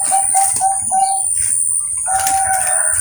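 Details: Bangkok-type zebra dove at a bird farm in Kroya, Cilacap, Central Java, Indonesia, bred for competition-quality song with steady front, middle and end notes. Short mellow coos repeat in a quick rhythmic series, then a longer drawn coo, with a constant high hiss.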